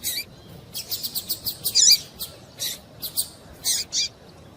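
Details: Female double-collared seedeater calling to stir a male into singing. High, sharp chirps come in an uneven run, some with short rising and falling sweeps, plus two separate notes near the end.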